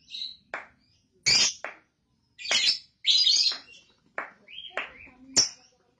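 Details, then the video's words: Young lovebird in a recording meant to lure out ngekek chatter: irregular loud, harsh squawks and short rising squeaky chirps, spaced by silences. "PANCINGAN LOVEBIRD PAUD AGAR NGEKEK"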